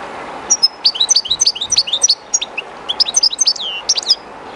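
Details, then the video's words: A kept European goldfinch, placed close to the current of the Jerte River and a little timid, delivers a rapid, tinkling twitter of high chirps and brief buzzy trills for about four seconds over constant flowing-water noise. "JILGUERO CANTANDO EN EL RÍO/Goldfinch singing in the river/Chardonneret chantant dans la rivère"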